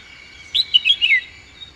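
A red-whiskered bulbul gives one quick, bright phrase of four or five slurred, chirpy notes, bouncing up and down, over a faint steady background hum.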